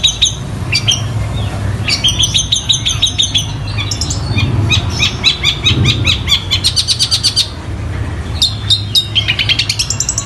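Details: Long-tailed shrike pouring out borrowed song of fighting sparrows and the tengkek buto: dense runs of sharp high chirps, fast stuttering trills and brief pauses, with a faint low rumble throughout.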